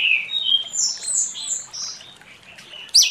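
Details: Orange-headed thrush singing in the morning in a loud, open style, used to lure silent birds into song: clear whistled notes sliding between high and very high pitches, ending with a sharp bright upward flick.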